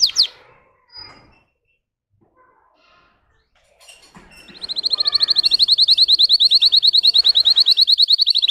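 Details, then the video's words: Russian canary bred for singing: a few scattered soft chirps and a long quiet pause, then a sustained, fast and very regular high trill of rapidly repeated notes that continues to the end. "Red trees Canary Singing"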